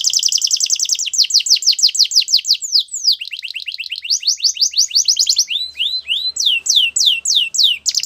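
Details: Canary singing a training song: high rapid chattering trills sweep downward in repeated notes, shifting into lower rolling phrases, then spaced, sharply falling whistled notes near the end.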